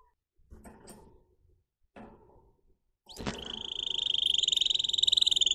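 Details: Singer canary song after some indoor knocking and rustling: a sharp upward note opens a long, loud, steady roll of very fast high pulses that grows stronger toward the end. Faint background noise remains throughout.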